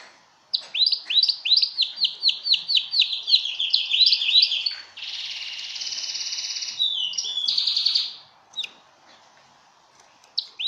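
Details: Belgian canary singing for mating, also used to train other birds: a fast run of sharp rising chirps slides into a buzzy sustained roll and bright trills, then fades to near silence with one brief closing note.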